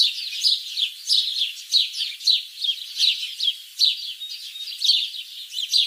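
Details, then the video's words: Shalik, the common myna, producing rhythmic bursts of scratchy, high chirping roughly every half second, each burst a rapid cluster of squeaky notes. "শালিক পাখি। Shalik pakhi । Birds sounds ।"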